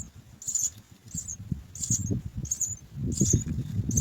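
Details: Begging house sparrow nestlings, three babies waiting for food. High thin cheeps come in bursts roughly twice a second, with a steady low-pitched rumble and handling noise underneath.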